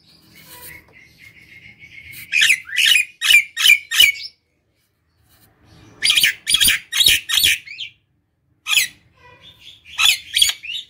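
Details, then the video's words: Vigorously singing Nias hill myna, gacor style, recorded as a lure for other birds: a low buzzy whistle rising into rapid runs of loud, rasping, ringing notes, then pauses and further bursts. "Pancing jalak nias dirumah dengan suara jalak nias gacor ini"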